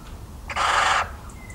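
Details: Recorded 17 March 2019 in rural central France, a little owl utters one loud, hoarse screech of about half a second, noisy and wide in pitch, over a calm background.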